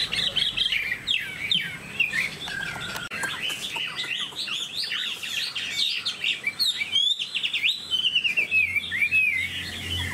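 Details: Caged Chinese hwamei in full song: dense, energetic cascades of loud whistled slurs, trills and sharp chirps, varying continuously in pitch with barely a pause.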